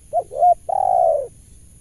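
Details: Single phrase from a wild spotted dove drawn in by a lure bird during trapping: two brief hooting notes followed by a longer, slightly falling, burry coo, clear against a faint low hum.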